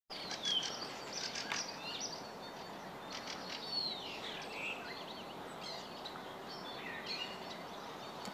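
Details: Several birds sing together in a spring dawn chorus of high chirps, trills and whistled phrases, recorded at 6:54 am on 19 March 2016 in total quiet while waiting for a train, after a calm night.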